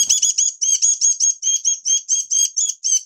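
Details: Oriental white-eye in minor moult starting its song, recorded 3 June 2022: a rapid run of high, thin twittering phrases, each about a fifth of a second long, delivered almost without pause in a bright, chattering stream.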